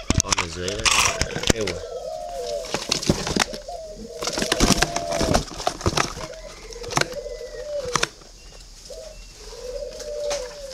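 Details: Captive red-billed, yellow-legged spotted dove in Ba Vì, northern Vietnam, repeating soft low coo phrases every couple of seconds amid loud knocks, clatter and wing-like rustling close by.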